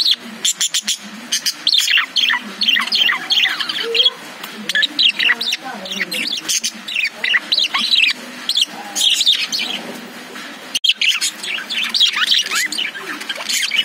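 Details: Chirping from caged lovebirds: clustered high twitters and sharp tweets arrive in bursts separated by short gaps, with a few clicking taps among them.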